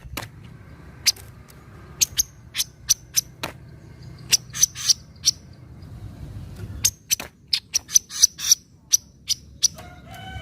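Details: Javan kingfisher 'nyecret' call, played as a lure for birds reluctant to call: sharp, explosive chips repeated in irregular bursts, some quickly doubled, over a low background hum; a thin steady tone enters at the very end.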